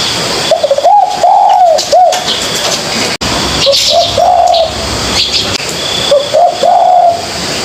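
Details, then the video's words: Young spotted dove in training delivers a full soft cooing phrase, then two shorter, hesitant ones with fewer notes, low and hollow-toned; a sharp click breaks in midway, and faint twittering sits above a steady hiss. "Tiếng Chim Cu Gáy|| chim cu gáy non tập gáy kích chim tập gáy"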